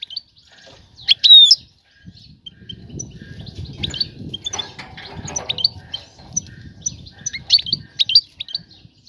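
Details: A female European goldfinch calls to entice a male to mate: a loud sharp chirp burst early on, then scattered high tweets over a steady low rustling, fluttering background.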